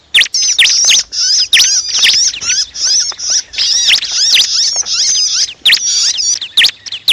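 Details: Bar-winged prinia lure recording of a "pinched", screaming bird used to trap the species: harsh, high, scratchy notes in rapid, almost unbroken frantic buzzy bursts, with sharp clicking notes between them.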